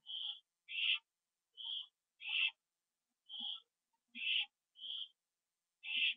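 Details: Owls returning to their nest, evening of 27 September 2011, 7:08 PM, on a live camera; paired calls, a thinner high note followed by a harsher raspy one, the pair repeated about four times.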